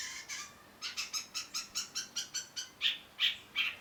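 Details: Long-tailed shrike repeating short grating notes in a quick, steady series of about three per second, ending with a few brighter squeaks.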